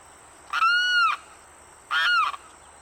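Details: Limpkin, a bird of Florida's freshwater wetlands, gives two very loud, wailing harmonic calls, each a drawn-out slightly arched cry of about half a second, separated by a pause; a steady high hiss runs underneath.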